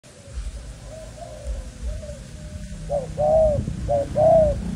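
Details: Caged Malaysian-line spotted dove kept as young breeding stock: soft low coos at first, then louder paired coos near the end, a short note followed by a longer arched one, over a low rumbling background.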